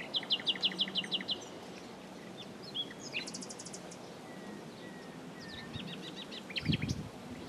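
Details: Common nightingale song opening with a fast run of repeated sharp notes, followed by a short rattling trill and scattered whistles, with one low thump near the end against steady background noise.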